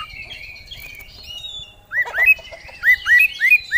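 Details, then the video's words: Kacer song, an oriental magpie-robin: faint high whistles, then a quick series of rising, hooked whistled notes, about three per second. "Kacer Gacor Bongkar Isian"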